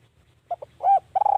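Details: Spotted dove used as a lure for wild doves. Two quick soft notes are followed by a swelling arched coo and a longer, level coo with a fluttering quality, over a faint low hum.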